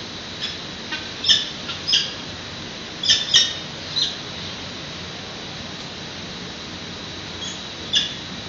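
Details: Young peregrine falcons calling while being fed at the San Francisco PG&E nest, 8:35 am on 13 June 2017, on a webcam: scattered short, harsh squeaky squawks, some in quick pairs, against a constant noisy hiss.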